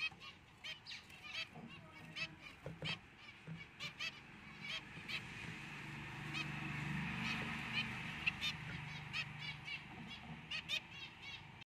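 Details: Four zebra finch chicks, one albino, two white pied and one fawn, giving short nasal honking calls over and over, often overlapping in quick bursts, with a steady low hum underneath.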